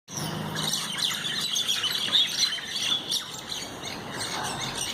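Common mynas squabbling, with dense, harsh chattering and squawking notes overlapping rapidly and without pause, over a faint low hum.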